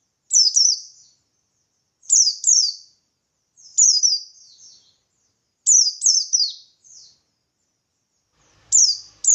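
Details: Buxtoni white-eye delivering lively 'ngalas' song with 'tembakan' notes, played so other white-eyes answer: bright, piercing, downward-slurred double phrases about every two seconds, some ending in a faint trailing twitter, with nothing else audible.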